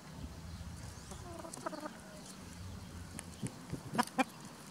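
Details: Spring free-range flock of hens guarded by a white rooster while foraging; soft low clucks build to two sharp louder clucks near the end, over a low background rumble.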